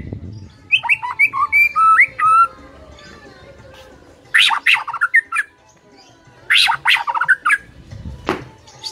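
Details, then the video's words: White-rumped shama in loud song: short whistled notes and slurs at first, then bursts of harsh, rasping chatter mixed with clear whistles, separated by quieter pauses. "MUTAI BISU SONTAK NGAMUK PLUS GACOR KOAR KOAR"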